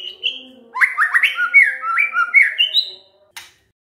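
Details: White-rumped shama song used as a lure to make other shamas answer: a run of loud rising and falling whistled phrases with quick slurred notes, ending in a brief sharp burst.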